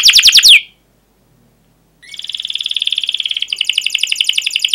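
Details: Canary rolling song, 'ngerol': a quick burst of falling chirps, about a second and a half of silence, then a long even buzzy trill that grows louder and denser.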